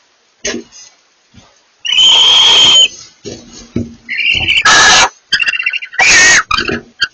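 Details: Barn owls, a pair communicating: a long drawn-out wheezy screech, then shorter rising rasps and harsh hissing bursts overlapping one another, with faint scattered sounds between.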